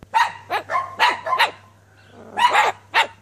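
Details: Cockatoo barking like a dog, acting as a household security system; about seven harsh, hoarse bark bursts in quick irregular succession, a longer pause before the last few, with a faint steady hum underneath.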